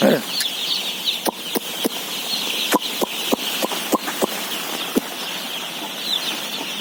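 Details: Day-old chicks being fed, 17,000 birds: a steady high peeping chorus from the flock, broken by frequent sharp clicks and taps of feed or equipment scattered through the recording.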